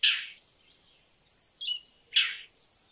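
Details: Indian roller (Coracias benghalensis) giving two harsh, rasping chack notes about two seconds apart, with softer short calls between them and a thin, steady insect whine throughout.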